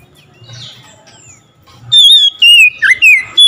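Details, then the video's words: Oriental magpie-robin starting to sing after hearing another magpie-robin; soft chirps first, then a string of loud whistled notes that waver, fall and rise, about five phrases in quick order. "SEKETIKA MENDENGAR KACER LAIN LANGSUNG IKUT GACOR"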